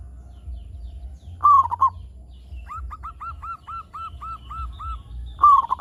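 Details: A local zebra dove, a gacor singer, whose song is used to lure other zebra doves into calling: a stuttering burst of coos, then about nine evenly spaced, soft, arched coos, then another stuttering burst, over a low background hum.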